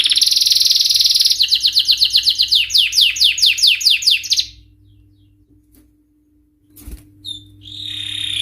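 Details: Male canary singing in high excitement: a loud buzzy trill leading into rhythmic falling whistles for about four seconds, then quiet, a soft thump, and a short high whistle.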